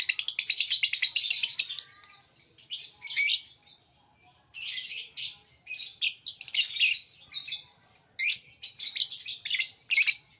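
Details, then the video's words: Lovebird giving a long run of shrill, buzzy chirps and squeaky twitters in bursts, with short pauses between some phrases. "suara burung Lovebird"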